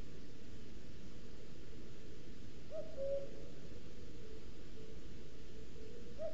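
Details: Male common cuckoo, a summer visitor, singing all day to claim territory in pine forest by a booted eagle nest, Sierra de Guadarrama National Park, Spain, webcam recording; one low two-note cu-coo, second note lower, another starting at the end.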